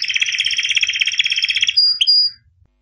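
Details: White canary of albino type in song: a dense fast trill of repeated notes lasting nearly two seconds, ending with a short whistled flourish and then silence.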